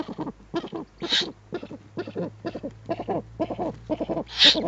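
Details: At a Eurasian eagle-owl nest with an adult and owlets, webcam recording from 21 April 2020: short rasping bursts in steady succession, with two brief, higher hissing notes standing out near the start and end.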